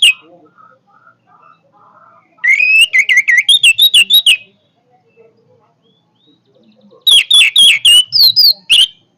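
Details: Powerful orange-headed thrush song in two loud bursts of fast, sharp, high whistled notes, several each second, twisting up and down in pitch, separated by a few seconds of near silence.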